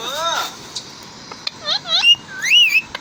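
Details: Parrots talking to each other: a series of rising and falling whistled notes with harmonic overtones, some short upward sweeps and a longer looping whistle near the end, against low background noise.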